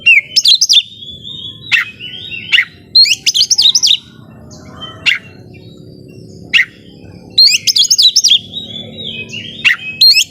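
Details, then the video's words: Oriental magpie-robin, a home-kept bird singing energetically to provoke rival birds: clusters of rapid high chattering notes and whistles, punctuated by loud sharp clicks, with a quieter stretch in the middle. "Dengerin Suara Kacer Gacor Ini Bikin Lawan Jadi Emosi Narung On"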